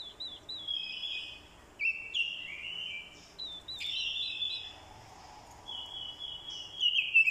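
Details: Orange-headed thrush decoy bird singing a fighting song prompted by a female's call: several separate phrases of sliding, warbled whistles, each a second or two long, with brief pauses between.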